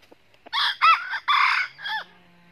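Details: Crow of a red junglefowl at a northern Vietnamese trap site, red-eared decoy against a wild 'cà lắm'-voiced rival: four-part call with two short rising notes, a drawn-out harsh stretch and a downward-sliding end note, followed by a faint low hum.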